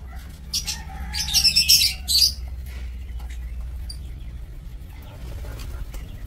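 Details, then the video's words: Lovebirds kept in an aviary for breeding, recorded 2 October 2024 in Indonesia: a burst of harsh, high chattering chirps clustered around the first two seconds, then quieter background with faint scattered chirps and a low hum. "Aviary Lovebird"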